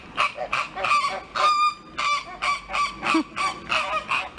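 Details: American flamingos, a group of fourteen young birds brought from the Czech Republic to Novosibirsk Zoo, quarrelling on 15 September 2023: loud, nasal, goose-like honks repeated about three times a second, overlapping in a noisy squabble.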